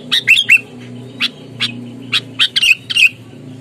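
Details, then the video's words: Sooty-headed bulbul in a combative state: scattered harsh chips and a few short falling whistles, spaced irregularly, over a steady low mechanical hum. "Kutilang gacor, galak, tarung, full suara alam, bikin emosi lawan"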